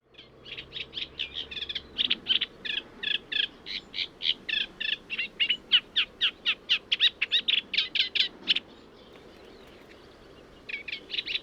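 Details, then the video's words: Eurasian Reed Warbler song: a steady, chattering run of repeated scratchy notes, about four a second, fairly even and monotonous, with a brief pause; similar to the Sedge Warbler's song but much quieter and less imitative. "Let's have a listen. This is the reed warbler."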